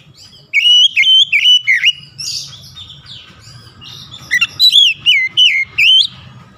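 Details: Oriental magpie-robin song, sharp and clear, aimed at waking lazy birds into song: two rapid runs of varied whistled, warbling phrases with a scratchy note between them, loud and nearly continuous.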